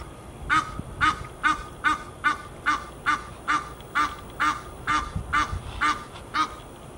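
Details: Honking geese recorded in Fort Lauderdale, Florida, USA, a brisk train of resonant nasal honks at an even pace of about two per second, with low rumbling noise beneath.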